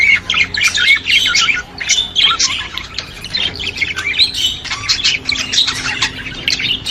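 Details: Budgerigar song meant to stimulate other budgies: dense, continuous warbling chatter of scratchy squawks, clicks and whistled notes, with rapid irregular phrases throughout.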